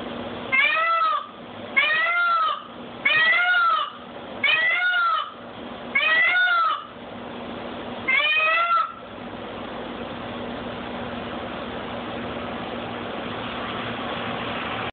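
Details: Peacock screaming: six loud, wailing calls come about every one and a half seconds. Each arches up and falls back, and the harmonics are rich. Steady hissing background noise follows.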